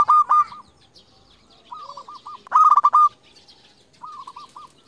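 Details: Champion local zebra dove meant to provoke rivals: loud clipped bursts of fast stuttering coos alternate with softer, more distant rolling coo phrases, suggesting a second dove answering.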